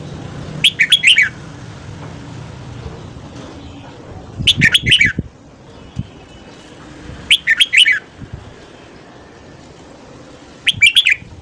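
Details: Red-whiskered bulbul singing in the morning, used to lure wild birds, gives four short, bright, liquid whistled phrases, each under a second and about three seconds apart, with faint low thumps between.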